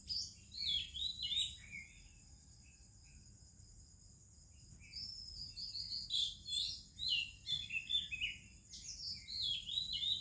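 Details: Melodious morning singing attributed to an Oriental magpie-robin, Indian birds calling around it: warbled whistles, a quiet gap of several seconds, then a fast, varied sequence of sharp chips and sweet slurs, with continuous cricket buzz.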